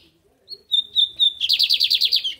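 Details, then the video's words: Caged lined seedeater from Brazil singing the American song type: a few clear whistled notes around one pitch, then a fast buzzy trill of repeated rising-falling notes; a woman speaks softly before and after. "Só uma palhinha do bigode Americano"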